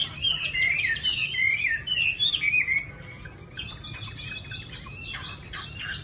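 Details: Caged Chinese hwamei in Hanoi, Vietnam. Loud, liquid whistled phrases loop up and down for about three seconds, then give way to softer, rapid chirping notes.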